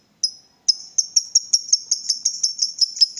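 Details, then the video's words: Lovebird, roused into calling: one high chirp, a short pause, then a quickening run of shrill, ticking notes that keeps going to the end. "Lovebird diam langsung Nyambar, Emosi Naik Gacor Ngetik Lanjut Ngekek"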